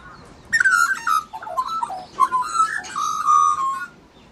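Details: Australian magpie of a family raising chicks, giving a loud, rich whistled warble: fluid, gliding phrases with bright overtones, sung in two bursts for about three seconds, with a brief pause between them. Quiet background.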